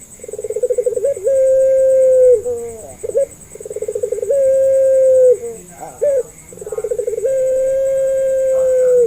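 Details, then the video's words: Puter pelung Barbary dove, a local Indonesian style kept as a lure to prompt doves that rarely call or are learning to call. Three low phrases: a rapid throbbing stutter, then a long steady coo that sags at the end, then a short clipped note. Faint steady high whine. "PANCINGAN MASTERAN BURUNG PUTER"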